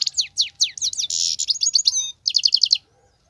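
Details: Wild European goldfinch singing continuously in the 'batbatat' style: a rapid jangle of high, thin twittering notes, sweeping and trilled, with a short pause before a final run of quick repeated notes.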